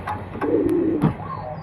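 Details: Desi highflyer pigeon of an old local bloodline cooing: one low, steady, throaty coo of about half a second, with several sharp clicks or taps before, during and at its end.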